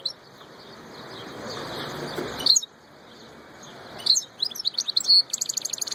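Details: Royal European goldfinch song: after a noisy lull, sharp chirps break into a bright twitter, then a fast, buzzy, evenly pulsed trill at the end.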